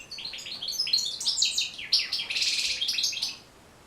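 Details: Singing European goldfinch, a recording meant to train goldfinches to sing. One continuous tinkling phrase of quick high notes swells into a dense buzzy jumble, then stops abruptly near the end.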